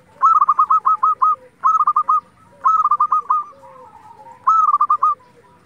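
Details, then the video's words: Local zebra dove singing hard, a recording meant to raise the spirit and mating drive of other zebra doves. Four rapid trilled coo phrases, with fainter doves cooing underneath. "pancingan perkutut lokal gacor"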